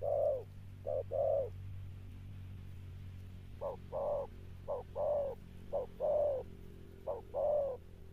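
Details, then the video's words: Spotted dove cooing in the Sấm Thổ style; the bird is a wild-caught adult. Deep hollow coo groups are broken by a long silent gap. A steady low hum sits in the background. "Gù Âm Sấm Thổ"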